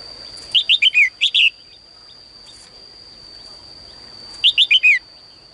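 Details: Female bird in a cage singing in the morning to prompt male song: two quick bursts of five or six bright descending whistled notes, several seconds apart, with a constant thin high tone behind.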